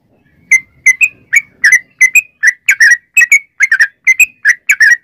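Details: Yellow-vented bulbul song used as a lure to make other birds sing: bubbly whistled notes, often doubled, delivered in a lively, uneven series about three per second.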